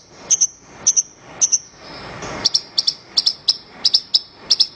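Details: Horsfield's bush lark singing, recorded as training material for other birds: paired, piercing high notes repeated in uneven bursts, with a brief soft rushing noise in the middle.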